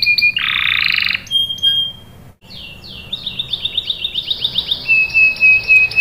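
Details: Lively canary used as a lure song to prompt other canaries to answer and roll: a harsh buzzy burst, a thin steady whistle, then a quick series of bright rising chirps and a high held note.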